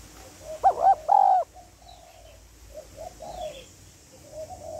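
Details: Female spotted dove (cu gáy) calling to stimulate a male, with calling, urging and cooing phrases: one loud, low, three-part coo phrase near the start, then softer, steady cooing from other doves in the background.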